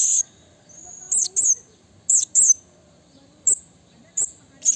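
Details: Wild blue-crowned hanging parrot calling a rival: short, very high, shrill piercing notes in clustered bursts, pairs and singles spaced irregularly about a second apart, with a thin sustained high tone between bursts over quiet background.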